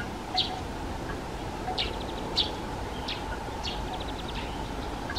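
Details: Black redstarts, a darker male and a paler female, feeding fledglings that have already left the nest; sparse high sharp chirps with short rapid ticking series between them, over a steady low background hum.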